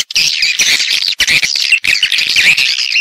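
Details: Swiftlet lure sound used by swiftlet farmers in Vietnam to draw birds into nesting houses; a dense, continuous chatter of sharp high twittering chirps from many birds, broken by two brief pauses.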